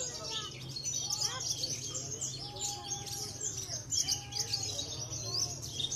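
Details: Javan bush lark of the parva race, a Cilacap contest champion, runs through bright high chirps and trills while a person's drawn-out voice and background chatter sound below.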